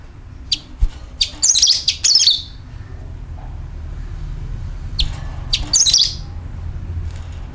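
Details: Sooty-headed bulbul call used as a lure for wild birds. Sharp isolated high ticks lead into two bursts of shrill, quickly falling chattering notes, separated by a quiet pause, with low background hum.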